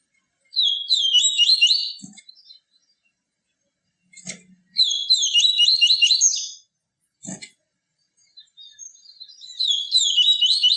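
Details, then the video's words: Yellow-bellied seedeater kept in captivity, singing the 'tui tui viviti' pure song: three loud, fast, warbling bursts of high twittered notes, separated by short silences with occasional dull taps. "CANTO DO PAPA CAPIM TUI TUI VIVITI, CANTO PURO"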